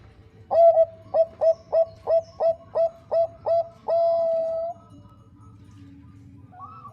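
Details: Bangkok-type zebra dove, a female calling the male, as a lure to prompt singing. Nine crisp repeated coo notes at a steady pace close with a long sustained note, then a faint far coo.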